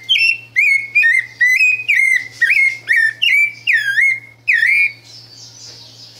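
Rufous-bellied thrush song: about ten clear, slurred whistles, each rising or falling, about two per second, then a soft hiss and a faint low hum.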